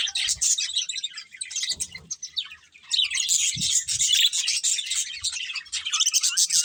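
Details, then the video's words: Colourful budgerigars chirping while eating, fast irregular high chirps and buzzy warbles, roughly four per second, dipping briefly near the middle before the flock chatter swells again, with occasional low knocks. "Colourful Budgies Chirping Sounds | Love Birds Eating"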